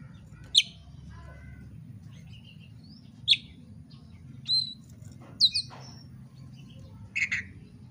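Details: Oriental magpie-robin in fighting mode, its voice used to provoke other magpie-robins to fight. Isolated sharp, piercing notes every two to three seconds, some doubled, with faint chatter between.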